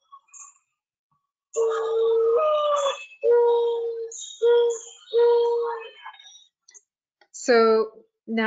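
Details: Mourning dove (Zenaida macroura) song in Kentucky: a low, soft, mournful coo that rises in pitch at the start, then three steady mellow coos about a second apart; a voice speaks briefly at the end.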